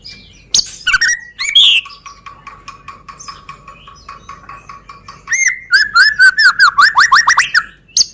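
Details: White-rumped shama from Medan singing as a lure for other birds: a few loud whistles, a sustained stretch of quiet rhythmic ticking, then a quick string of clear, falling whistled notes.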